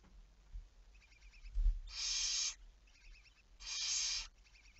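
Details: Barn owl recorded on 11 May 2019 at 23:34 at night: two loud, harsh, broadband hissing screeches, each about 0.7 seconds long and separated by about 1.5 seconds, with faint rapid ticking calls between them.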